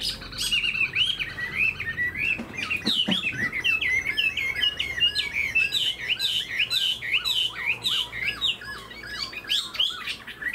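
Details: Tame Chinese hwamei in a cage, tail fanned, performing its wing display; a lively series of rich, rolling whistled phrases, broken briefly by a few sharp clicks, then dense fluting notes.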